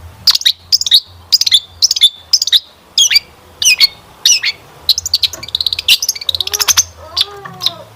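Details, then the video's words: Long-tailed shrike singing for a lure track that coaxes birds to sing: repeated sharp high chirps nearly twice a second, a quick rattled series, then a softer wavering mewing sound near the end. "Kicauan Cendet Memukau! Pancingan Cendet Gacor Full Isian Mewah"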